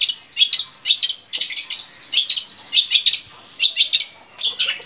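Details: Long-tailed shrike song for stimulating captive shrikes to sing: harsh, scratchy chattering bursts in short phrases with brief gaps, high and buzzy throughout.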